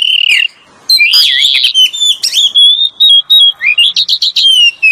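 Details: Lure song of an Oriental magpie-robin pair, male and female; a brief whistle, a pause, then a long run of warbled and sliding whistles ending in quick repeated high notes.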